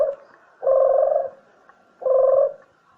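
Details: Lure dove for trapping or shooting, with two full, low coos of about half a second each, separated by more than a second of near silence.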